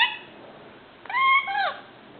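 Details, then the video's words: A young pet male Indian ringneck, five months old, starting to talk, gives one brief tone then a longer level harmonic whistle ending in a downward slur. "INR making funny sounds and gives kisses!"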